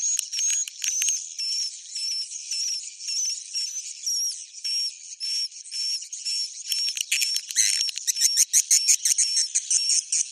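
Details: Bhayangkari swiftlet roosting call: a steady run of twittering chirps, about two per second, with wavy high whistles, ending in a denser, faster rattle of chirps.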